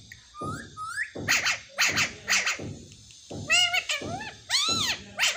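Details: Pet talking parrot mimicking speech, saying "mummy mummy"; a series of harmonic voice-like syllables with whistled, upward-sweeping notes and short tonal phrases, broken by quiet gaps and low thumping sounds.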